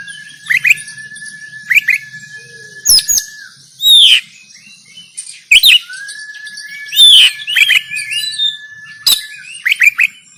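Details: Kacer (oriental magpie-robin) fighting song, Banten, Indonesia, on an Android phone: sharp chip clusters every second or so, long held whistles, loud harsh notes and swooping upslurs.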